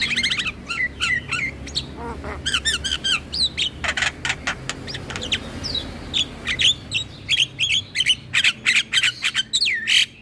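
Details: Chattering Javan myna song used to attract mynas and starlings: long stretch of rapid repeated rasping notes and ringing whistles, with a brief quieter gap midway before steady pulsed chatter resumes.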